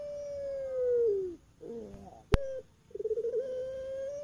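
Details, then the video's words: A long coo from a captive Barbary dove (puter pelung), Java, Indonesia, at night, drops and fades, then a gurgle and a click are followed by stuttering pulses that swell into a new sustained coo. "VERY MELODIOUS VOICE OF COLLARED AT NIGHT"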